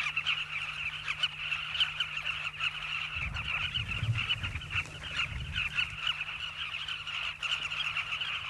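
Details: Migrant Southern carmine bee-eaters at their riverbank nesting colony in South Luangwa, Zambia: a thick chorus of harsh, overlapping calls throughout, with a brief low rumbling in the middle.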